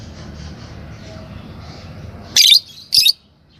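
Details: Two loud, shrill, scratchy chirps about half a second apart from a green Fischer's lovebird pair, following a couple of seconds of low hum.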